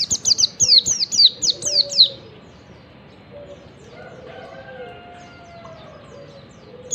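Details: Yellow-breasted wild Oriental white-eye recorded in the morning as a singing lure for other white-eyes. A two-second burst of rapid high chirps, then quieter background with faint distant whistles and a final chirp.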